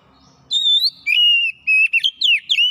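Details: Gacor singing by a kacer, or Oriental magpie-robin, displaying its repertoire. A high whistle falls to a long steady whistled note, followed by quick chattering slurs and short clipped whistles.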